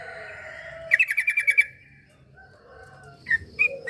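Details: Sooty-headed bulbul recorded to coax a silent bird into singing: a fast chattering run of about seven bright, clipped notes, then a pause and a few scattered single chirps, with faint background hum.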